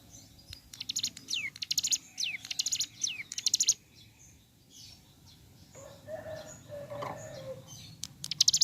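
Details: Morning singing of ciblek gunung: high buzzy bursts and downward-curving whistles in the first part, then a pause filled with low murmuring background noise before another sharp buzzy burst at the end.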